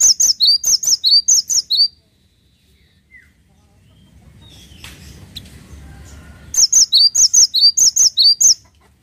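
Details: A cinereous tit in full voice gives fast strings of thin, high, see-sawing double notes, roughly a dozen per run, two runs split by several seconds of soft low rustling.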